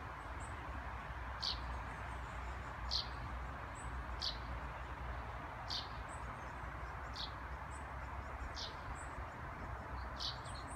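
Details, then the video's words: Eurasian tree sparrow giving contact/alarm calls, short sharp high notes about every one and a half seconds with fainter higher chirps, over steady traffic rumble; woodland strip behind Tallrotsgatan, Sundsvall, Sweden, 21 June 2018. "Pilfink lockar/varnar"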